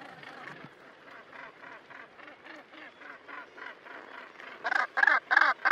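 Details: Nesting Northern gannets on Helgoland: a quieter run of repeated harsh, nasal calls, then several louder, closer grating notes in the last second.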